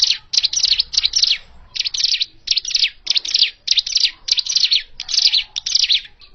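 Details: Hill prinia original call used for bird trapping: bright, high, scratchy chirps in tight bursts, repeated rapidly and fairly steadily, about a hundred notes a minute, with no other clear sounds.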